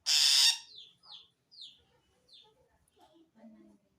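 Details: Long-tailed shrike making a strange threatened call aimed at wild shrikes, prompted by another shrike: one loud harsh rasping burst, followed by a series of quieter downslurred whistled notes and soft low chattering.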